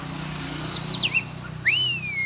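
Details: Oriental magpie-robin at a training session: a few thin high whistles, then a long clear whistle that rises and slowly slides down, over a steady low mechanical hum.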